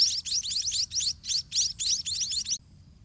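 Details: White-rumped munia chicks in the nest while parents feed them by regurgitation. A rapid chorus of thin, high chirps in bursts about three times a second, then they fall quiet.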